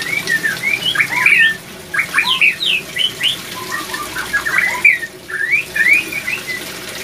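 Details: White-rumped shama male and female attacking each other after a failed pairing attempt; loud harsh chattering notes and rising squeaky chips in rapid bursts, with brief pauses, over a faint low hum.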